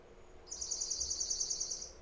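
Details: Dark-eyed junco's song, a rapid, even trill of high, dry notes lasting about one and a half seconds over faint hiss; usually sung by males but females sing it too.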